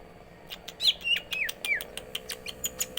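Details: Green leafbird (cucak ijo) singing a busy 'gacor isian' song: rapid mix of clicks, ticks and downward-slurred whistles, about four notes a second, over a faint steady hum.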